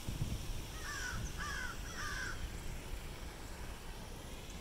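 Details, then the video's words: At a campus fountain on Hilton Head Island, South Carolina, crows give three short, raspy caws in a row against a constant hiss of background noise. "Crows Calling by Fountain"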